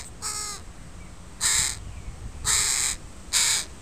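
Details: Parent crows and their young in a park on a Sunday: four rough, drawn-out caws at uneven intervals of about a second, loud and raspy against a quiet background.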